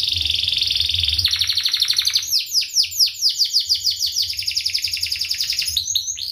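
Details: Canary singing in a sharp, tightly packed style meant for teaching young canaries: a steady high trill gives way to rapid repeated downward-sweeping chirps, rolling continuously for the whole stretch.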